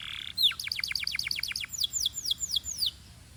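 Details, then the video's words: Belgian canary song meant to warm up canaries and rouse females: a brief buzz, then a quick series of falling chirps that slows into several longer slurred whistles. "Corner to Warm Up Belgian Canaries and Fire Up Females"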